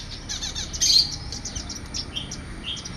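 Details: Mixed parrots and parakeets keep up a steady high twittering, with one louder burst of chirps about a second in, then short scattered tweets over faint low background rumble.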